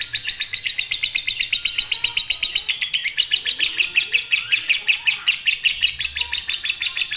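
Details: Lovebird of fighter, konslet singing style, as master song for birds unwilling to sing: steady, fast, clicking chatter of bright high notes, repeated in an even, drumming run.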